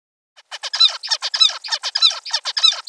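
A zebra finch gives a rapid series of nasal, toy-trumpet honks.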